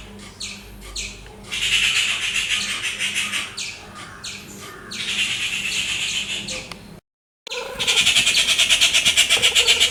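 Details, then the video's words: Noisy rufous treepie, a crow-family bird, giving raspy, piercing calls in its natural habitat: separate harsh rasps, then fast grating chatters running several seconds, a brief gap, and a loud rapid rattling bout to the end. "Rufous treepie bird making loud sounds - ഓലഞ്ഞാലി പക്ഷിയുടെ ശബ്ദം"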